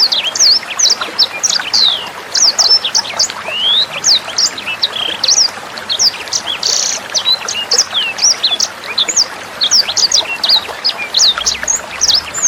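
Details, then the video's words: Long, unbroken sanger bird song for training songbirds and young sangers: dense, rapid high chirps and flicking whistles, now and then a short buzzy burst, with a steady trickle of water throughout. "SUARA MASTERAN BURUNG SANGER NEMBAK JERNIH + GEMERCIK AIR"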